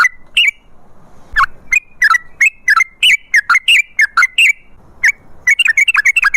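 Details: A wild-style chattering sooty-headed bulbul song, the long 'ropel' type used to prompt bulbuls to sing, made of loose slurred whistles, some rising, some falling, at an irregular pace that quickens at the end.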